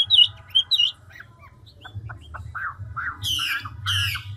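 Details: Chinese hwamei, a mature wild-caught bird, in fast voice-switching ngũ trường song: a few sharp whistled notes, then quieter scattered chips and harsh, grating, rasping bursts near the end.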